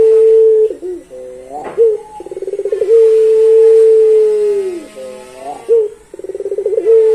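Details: Melodious long song of a pelung Barbary dove. Long level coos end in a downward slide, and each is followed by a brief sharp note and a rapid stuttering roll that leads into the next drawn-out coo.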